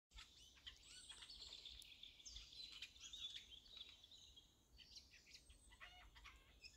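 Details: Eurasian jay singing, a funny song likened to a child's laugh; a dense, varied run of clicks, rattles, short chirps and wavering whistles, high-pitched and nearly continuous, with a faint low rumble of background noise.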